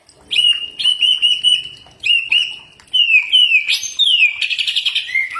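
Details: Song of a common iora, used as a tutor recording that birds answer. Sustained level whistles rise at the start of each phrase, then give way to downslurs and a quick trilled burst at the end.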